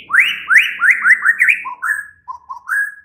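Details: Oriental magpie-robin (murai batu) night song played to prompt a caged bird to answer: a series of five rising whistled slurs, then lower sweet whistles, clean and close.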